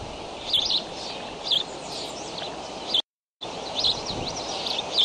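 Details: Decorah nest camera, May 20, 7:28 am: young bald eagles flap hopping at the nest give short high chirps in small clusters against a hissing background, with a brief silent gap partway through.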